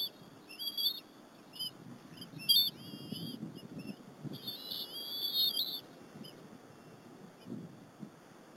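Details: Afternoon at the Berry College bald eagle nest, 30 April 2015, as the mother and two eaglets share a squirrel: a run of sharp, high whistled chirps, then one sustained wavering squeal, with quiet shuffling sounds.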